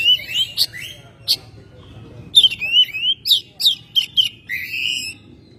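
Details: Oriental magpie-robin kept at home, singing in May: a rapid run of loud whistled phrases mixed with sharp clicking notes, each lasting a fraction of a second, against faint low hum.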